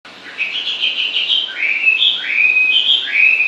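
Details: A bird sings, described as singing nonstop and pleasant to hear: a run of warbled whistled phrases, some sliding upward, mid to high in pitch, growing louder over three and a half seconds.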